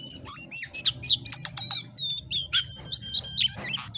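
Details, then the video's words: Jongkangan singing gacor: dense, rapid high chirping with whistled slurs and sharp ticking notes, continuous over a low background hum. "Jongkangan GACOR DOOR"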